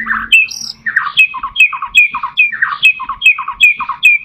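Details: White-rumped shama recording used as a lure to get caged shamas singing: a rapid run of harsh, scratchy notes mixed with short whistled phrases, about two or three each second, fairly loud and close.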